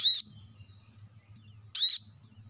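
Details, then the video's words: Two loud, high, arched notes from a plain-throated sunbird, or kolibri kelapa, with faint thin descending whistles between them over a low background hum; a lure to get caged birds singing. "kolibri kelapa | wiceh | manggar | cuitan korlap gacor untuk burung agar cepat rajin bunyi gacor"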